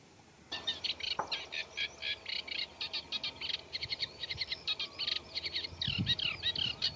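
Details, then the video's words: Eurasian reed warbler (Acrocephalus scirpaceus) singing in a reed bed: a steady, chattering stream of scratchy, repeated notes in twos and threes, high and fast, including mimicry of other birds such as Common Redshank, with a faint low rumble beneath. "Eurasian Reed Warbler Song | Acrocephalus scirpaceus Singing"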